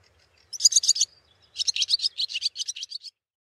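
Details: Two bursts of bright, rapid high chirping from a barn swallow, the second longer and more rhythmic, with quiet between them.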